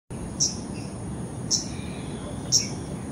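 An Arctic warbler gives three short, sharp, high call notes, about one each second, over a steady low rumble.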